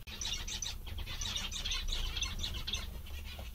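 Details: Several zebra finches call continuously in happy chatter, with short nasal notes crowding together over a persistent low hum.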